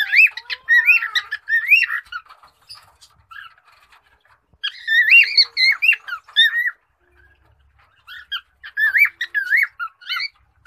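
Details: A male cockatiel (Nymphicus hollandicus) sings bursts of warbling, rising and falling whistles separated by brief pauses.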